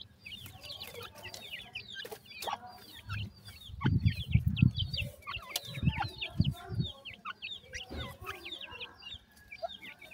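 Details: Grey francolin female with five chicks at feeding time: dense, high, thin peeping chirps run throughout, overlapping and irregular, with low thumps and handling noises beneath.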